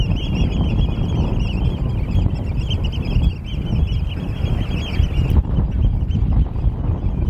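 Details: Golden plovers, Pluvialis apricaria, on Amrum at Norddorf, 8 April 2022, late afternoon: a dense overlapping chorus of high plaintive whistles from many birds, stopping abruptly after about five seconds, against strong gusting wind.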